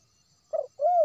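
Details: Wild spotted dove, West Sumatra, recorded as a lure for trapping. A brief burry note leads into a smooth, drawn-out coo that rises gently and then falls away, over near silence.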